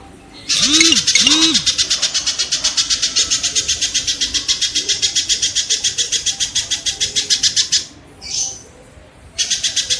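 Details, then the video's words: Kingfisher training sound for songbirds: two short low whooping noises, then a long, steady, high, rattling trill of rapid sharp notes for about seven seconds, a brief softer note, and the trill starting again. "suara burung tengkek"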